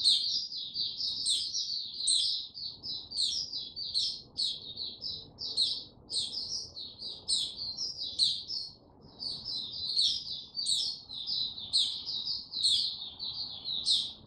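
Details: White-eye warming up slowly before opening its song: a continuous stream of high, rapid twitters and chips with frequent sharp rising flicks, hardly pausing throughout.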